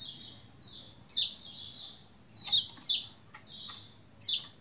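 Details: Song of a Lombok white-eye played to get sluggish white-eyes singing in reply: strings of high, thin whistled notes gliding slightly downward, interrupted by sharp steep chips, repeated irregularly about every second, over a quiet low background hum.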